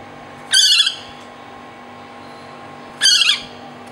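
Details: A juvenile large hawk-cuckoo, rescued one morning in Pattani, southern Thailand, after apparently colliding with a wall or window, gives two harsh, raspy, wavering squawks about two and a half seconds apart, over a faint low hum.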